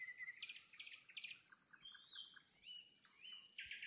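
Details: A nightingale's evening song at sunset: quick pulsed note groups repeated in short bursts, a few pure sustained whistles, and a closing buzzy trill, with a quiet noisy background.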